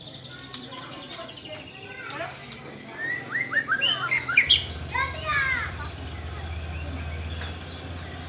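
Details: Persistently singing white-rumped shama, played as a lure to stir breeding drive: a dense burst of varied, slurred whistles and chirps in the middle, over a steady low hum that swells toward the end.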